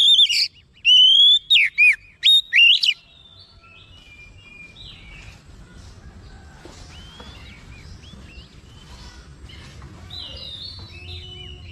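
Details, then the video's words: Oriental magpie-robin (kacer), described as a normally quiet bird now responding agitatedly and singing in full, unloading its learned repertoire; loud, clear whistled phrases and sharp slurred notes for three seconds, then faint distant chirps over low background rumble. "KACER MALAS BUNYI LANGSUNG RESPON NAIK EMOSI GACOR BONGKAR ISIAN"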